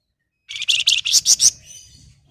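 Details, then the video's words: A loud run of about seven quick, harsh buzzy notes ending in a fading trailing whistle, from a flamboyan singing the long, sizzling phrases used as a lure for quiet birds. "Suara Istimewa Siulan Flamboyan buat Pancingan maupun Masteran"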